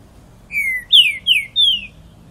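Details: Four ringing downslurred whistles from a pixarro, delivered in quick succession, the first long and even, the others shorter and bright, against a faint low hum.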